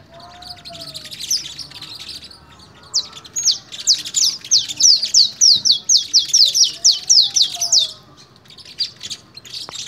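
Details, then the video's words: Canary fogueo, song training session in Pelaya, Cesar: soft twittering gives way to a loud series of about fifteen quick, high downslurred notes repeated evenly, then fading to quieter chatter. "fogueo de canario en pelaya cesar"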